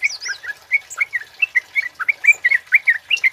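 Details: Male kemade in full song, recorded for luring and tutoring other birds; a busy stream of sharp, slurred chirps and whistles, about four notes a second, clear and loud against silence.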